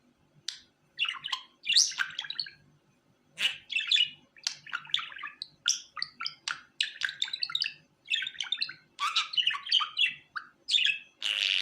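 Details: Pet budgerigar warbles in bursts of rapid chattering, buzzy and clicking notes mixed with short squeaky whistles, phrases broken by brief pauses, over a faint low hum indoors.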